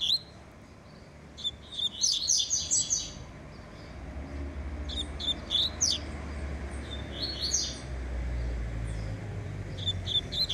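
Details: A double-collared seedeater kept in a cage warms up with repeated bursts of high, rapid, sharp chirping phrases separated by brief pauses, with a low hum underneath.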